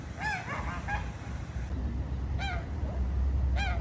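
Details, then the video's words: Morning ducks on the water at Jardin aux Canards, Monaco, utter nasal, slightly downward-bending honks: a quick cluster of three at the start, then single calls spaced about a second apart, against constant low water and traffic-like rumble. "Relaxing Duck Sounds"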